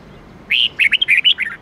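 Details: Lively whistled song of a red-whiskered bulbul in the 8-9-10 note style: a full opening note, then about eight short, curling notes in quick succession, trailing lower at the end.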